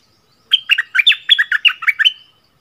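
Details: Bulbul training song in the double-phrase style, one cheerful phrase of about nine mellow, tumbling whistled notes with quick dips in pitch, lasting under two seconds against silence.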